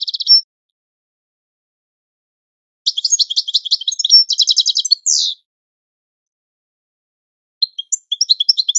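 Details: European goldfinch singing a training song: brief trill, a silence, then rapid pulsed rattles and chips for two seconds ending in a buzzy sweep, later more scattered twitters.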